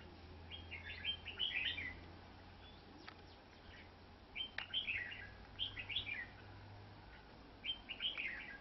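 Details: Red-whiskered bulbul in a trap, fighting a decoy bird: repeated short, lively whistled phrases with sharp, chattering notes, coming in bursts every couple of seconds, with clicks and low steady hum behind.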